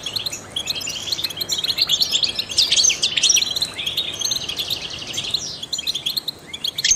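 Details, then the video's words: European goldfinch, a trained singer used to stimulate other songbirds, delivering a long rambling twitter of sharp chirps, buzzy trills and liquid notes, densest in the middle, softer toward the end. "in the wild goldfinches chirp to stimulate songbirds"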